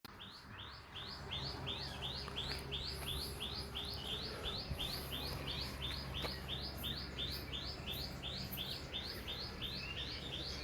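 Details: Birds singing on a farm: a single high, sharp chirp repeated steadily almost three times per second throughout, over a low rumbling background.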